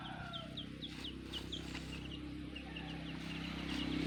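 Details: High, thin chick peeps with a black hen, repeated about every quarter second over a steady low hum.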